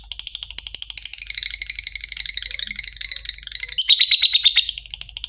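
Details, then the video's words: Lovebird ngetik-to-ngekek song, played to coax fighter lovebirds into long trilling: a dense, rapid, high chattering trill of scratchy chirps, rising into a brighter, louder burst toward the end, in a small room. "Lovebird Susah Ngekek Pancing Saja Pakai Suara LB ini, Pasti Langsung Respon Ngekek Panjang."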